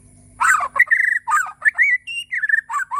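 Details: White-rumped shama (Borneo) in full morning song, loud and continuous, mixing rich fluty whistles, quick warbles and harsh squeaky notes with barely a pause for three seconds.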